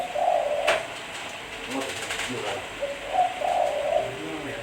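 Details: Spotted dove, locally called tekukur, sings soft, low, repeated coos: a short phrase at the start, then a longer run of two or three rounded notes later, with a sharp click and faint background chatter.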